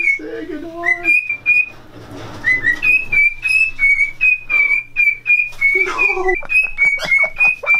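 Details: Male cockatiels take turns whistling clear, high, sustained notes back and forth as mating calls, competing to court a female during breeding.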